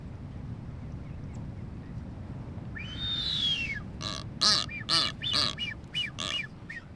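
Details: Blue-footed booby during courtship display among nesting pairs on North Seymour Island, Galápagos: a long, arching whistle, then a quick run of six or seven high, wheezy whistled notes over a steady low rumble of wind or surf.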